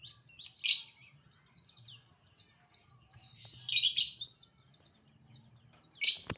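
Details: An oriental white-eye sings in the morning, rapid high twittering and slurred chirps interrupted by three loud, raspy, buzzy bursts spaced about every three seconds, with faint low hum beneath.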